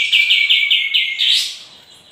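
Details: Sooty-headed bulbul in lively, full song, used as a lure recording to make other birds answer: a rapid series of about seven bright, clipped chirps, evenly spaced, then a louder rising sweep that trails off.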